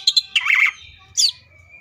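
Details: Cucak ijo (leafbird) singing tembakan phrases: two quick sharp chirps, a loud buzzy slurred warble, then a piercing high note and a fading thin whistle.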